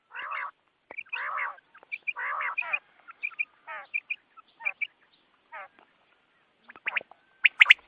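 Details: Quail calls recorded for morning hunting: harsh, buzzy bursts alternate with short bright chirps, loud at first, then sparser clipped notes with quiet gaps and a sharp final flurry.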